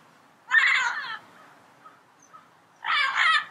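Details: Two grating, harsh squawks from a wild yellow-headed parrot, separated by a quiet pause of nearly two seconds.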